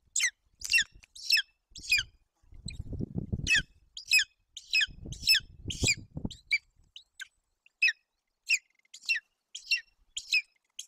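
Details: Golden eagle chick at a nest in Bucovina, Romania, June 8, 2021, begging while its mother tears up a roe deer fawn; rapid high squeaky chirps in uneven bursts over low tearing and rustling noises.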